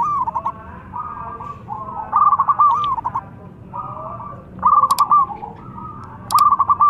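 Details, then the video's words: Zebra dove, local bird, calling loudly while a rival answers; repeated cooing phrases, some plain and some ending in fast stuttered pulses, with occasional sharp clicks. "PERKUTUT LOKAL GACOR MEMANGGIL SEKALI DENGAR LAWAN LANGSUNG NYAUT"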